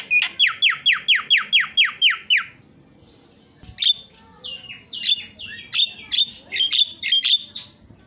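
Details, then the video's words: Javan myna, a champion songbird, opens with about ten rapid, evenly spaced downslurred whistles in just over two seconds, then after a pause gives a scratchy, chattering series of sharp notes. "JALAK KEBO JUARA KICAUAN MERDU"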